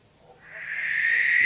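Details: Barn owl giving a harsh, hissing screech that swells in from near silence and grows louder and rougher toward the end, with no other sounds.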